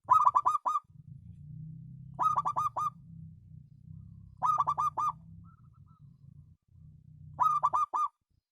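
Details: Local zebra dove, its voice described as special, repeats a bubbling five-note coo four times at roughly two-and-a-half-second intervals. A quiet low hum runs between the phrases.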